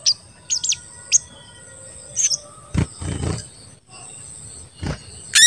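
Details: Lure call of an in-form crested jay, meant to provoke other jays into calling: a few high, thin chirps at the start and a rising note at the end, broken by dull thumps and handling noise.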